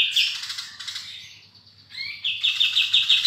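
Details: Eurasian tree sparrow in full voice giving long chirping phrases: a fading series of quick, shrill chirps, a short gap with a rising note, then a loud, fast, evenly repeated chirping run, with a low hum throughout.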